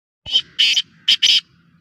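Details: Captive Black Francolin, locally Kala Teetar or Sindhi Teetar, of the Sheedi strain, kept for sale: four harsh, grating, high-pitched notes in two quick pairs within about one second, against a quiet background.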